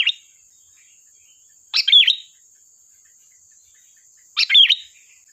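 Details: Lure recording of a lively sooty-headed bulbul: the tail of one phrase, then two full bubbly, chattering phrases about two and a half seconds apart, over a continuous thin high tone.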